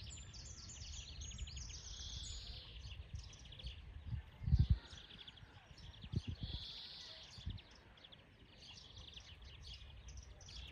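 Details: European greenfinch in the wild delivering repeated rapid trills and buzzy twitters, with steady low-frequency rumble and a few knocking sounds underneath.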